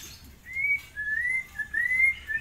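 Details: Tame forktail kept as a master song bird, giving thin, clear whistled notes that slide gently up and down in short phrases, separated by brief pauses, over a quiet background.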